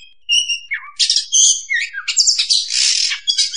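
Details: Oriental magpie-robin lure sound for bird trapping (pikat): a few pure whistled notes, then a run of harsh, buzzy, rasping squawks and sliding notes, loud and continuous.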